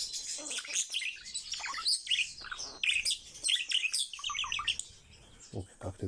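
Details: Kept male common starling in full song at home, a rapid jumble of whistles, clicks, squeaks and harsh buzzy notes, ending with a few lower knocking sounds and a brief quieter stretch.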